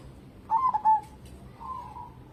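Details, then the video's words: Local zebra dove valued for persistent singing as a lure: a single short bubbling coo phrase with a quick stutter and lingering tone, followed by a faint soft hum. "burung perkutut lokal gacor cocok buat pancingan"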